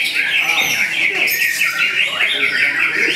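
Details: Young contest-bred White-rumped shama of eight to nine months singing busy repeated whistled phrases, about two or three notes per second, with a high trill and a rising sweep near the end.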